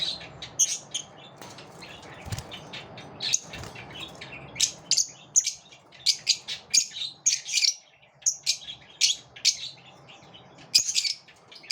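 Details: Competing lovebirds trade rapid high-pitched chirps and squeaks, dense bursts coming several per second through most of the stretch, with a couple of soft low thumps early on.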